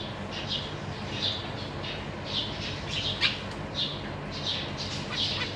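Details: Zebra finch parents with three juveniles and three new babies in a big cage, 14 April 2023. Soft nasal chirps repeat about every two seconds, with a sharper squeak in the middle, over a steady hum.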